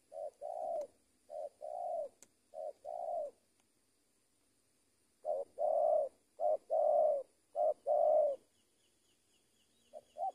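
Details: Decoy spotted dove trained for luring, cooing in paired phrases of a short clipped note followed by a fuller coo, a quiet pause, then a louder run of coos.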